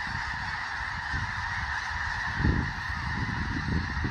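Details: A large flock of snow geese on Fir Island near Mt Vernon, Washington, settling for the night with a dozen bald eagles on the ground nearby, keeps up a dense, unbroken chorus of nasal, yelping honks over low wind rumble.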